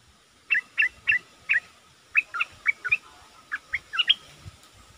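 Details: Bulbul used as a decoy bird singing: bright, quick two-note phrases, each a short upward flick, repeated in bursts of four then several more, over a steady faint hum.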